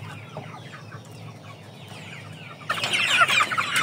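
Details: Chickens kept by a breeder of Aseel, Oshamo and Ganoi fowl: faint high descending peeps for under three seconds, then a sudden louder burst of dense, overlapping shrill peeps with a low hum underneath.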